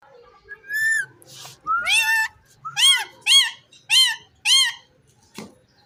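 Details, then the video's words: Indian ringneck parrot kept in a cage, said to be talking, delivers a run of six rich, arched, nasal calls at an even pace after a faint opening whistle, ending with a brief click. "Gergeous parrot in one cage in amazing talking"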